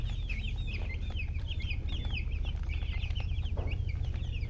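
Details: Several baby chicks chirping nonstop, thin high peeps overlapping in quick succession, with a constant low background hum.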